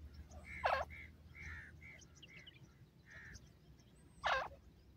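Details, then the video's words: Wild grey partridge (Gora Teetar): two loud, harsh, grating bursts about three and a half seconds apart, with softer scattered notes between and a low background rumble. "Grey Partridge Bird Sounds,Gora Teetar Ki Awaz"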